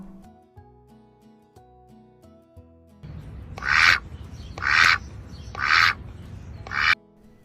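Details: Duck quacking: four loud, harsh, nasal quacks about one second apart, following a short stretch of gentle tinkling music.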